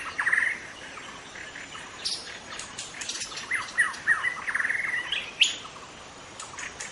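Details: Wild young white-rumped shama in forest singing a run of quick bright whistled notes and chatter in rapid succession, loudest near the middle, against a quiet natural background.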